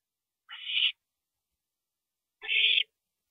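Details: Parent owl at the nest during the night of April 22, 2012, 2:40 AM: two rasping, hiss-like calls about two seconds apart, the first rising in loudness, the second steady.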